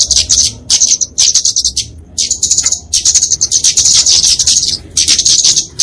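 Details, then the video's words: Kemade flowerpecker (genus Dicaeum) giving its fighting song, played to tutor and lure small birds: sharp, very high twittering phrases in dense runs, broken by brief silences roughly every second. "Kicauan Kemade Tarung Untuk Masteran&Pikatan Burung Kecil!"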